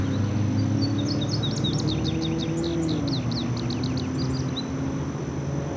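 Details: Male Indigo Bunting singing in the background along the Sugarland Run Stream Valley Trail in Herndon, Virginia, on June 29, 2015. A quick run of high, thin, sweet notes lasts about three seconds over a steady low rumble.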